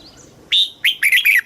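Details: Single phrase from a caged red-whiskered bulbul in Thailand, southern master-phrase style meant to rouse caged birds and teach chicks: one clear whistle followed by three quick rich, wavering notes.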